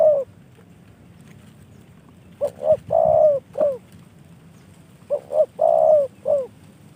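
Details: Spotted dove, a bird received as a gift from a fellow hobbyist, giving two clear phrases of mellow, medium-pitched coos. Each phrase has about four notes, with a longer drawn-out middle coo. Quiet background.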